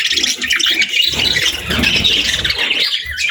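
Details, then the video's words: Budgie parents tending their chicks at feeding time: a continuous, tight babble of high scratchy chirps and warbles, with a soft low rumble underneath. "Cute Budgies With Cute Chicks 🐦 | Adorable Moments & Chirping Sounds"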